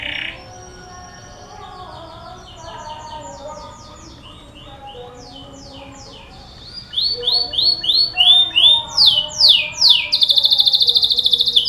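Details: Canary song used as a lure to set other canaries singing: faint, soft twittering for several seconds, then loud, rapid tours of repeated high sweeping notes, each phrase repeated several times per second, ending in a dense buzzy trill.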